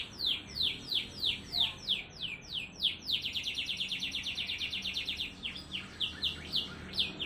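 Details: Canary singing a rapid, close-knit song with unique phrasing, intended to stimulate lazy canaries and as master song: slow falling whistled sweeps, then a quick even trill, then spaced sweeps again.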